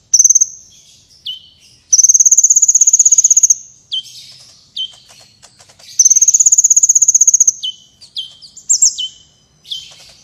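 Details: Competition-training recording of a sunbird singing strongly: two long high trills of rapid regular pulses, each followed by clusters of short falling whistles and chattering notes.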